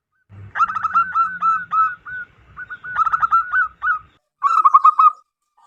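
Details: Wild local zebra dove calling loudly and clearly, a call suited to luring wild doves: two long bouts of fast, chattering coo notes over a faint low rumble, then a final short rippling burst.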